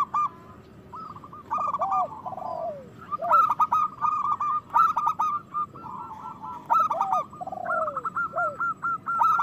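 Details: Zebra dove, a local bird played to rouse other doves into song and breeding: repeated phrases of fast bright coo notes, each followed by lower sliding notes, roughly five phrases in a row.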